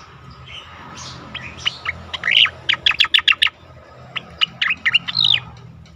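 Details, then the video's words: Asian pied starling, recorded for training competition birds, gives a brisk song of sharp chirps in fast series, with a few fuller warbled phrases at the start and end over a low hum. "khas cica koreng suara shahduh sangat bagus untuk masteran burung lomba"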